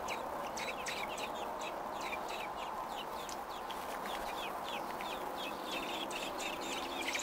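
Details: Nesting robin recorded June 5, 2018, day 28 at the nest: a continuous series of thin, high, squeaky chirps in quick irregular succession, with an even steady hum underneath.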